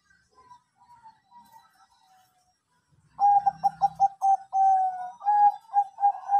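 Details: Zebra dove of the Bangkok type cooing in a lure recording meant to get birds singing. Faint soft coos come first, then a loud run of quick, clipped coo notes ending in longer, steady tones.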